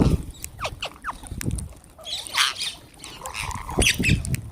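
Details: Wild green parrots being fed: grating, broadband squawks, loudest about halfway through and near the end, mixed with brief chirps, dull knocks and rustling.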